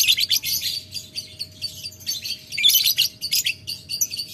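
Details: Lovebird rival-calling in ngetik ngekek style: continuous rapid high-pitched rattling chatter, swelling and fading in waves without a real break; low hum faintly present.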